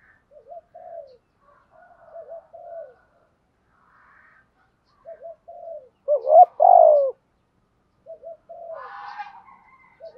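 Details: Spotted dove cooing in 'thúc gù' style to goad wild birds into calling back: soft low coos in small clusters, then a loud husky double coo, more soft coos, and a brief rougher burst near the end.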